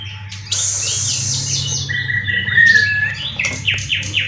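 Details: Caged competition white-rumped shama from Kebun Jeruk Baru, Indonesia, a prize winner in condition 90% and moulted three times, its song full of cililin material: bright descending harmonic whistles, then a long level whistle and falling slurred notes over low hum.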